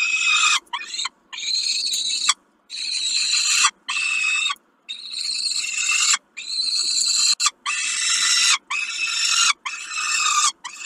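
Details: Peregrine falcon at Kawęczyn during a snack, dated 20 05 22: high, scratchy, screeching calls in bursts of about a second, repeated steadily with brief pauses.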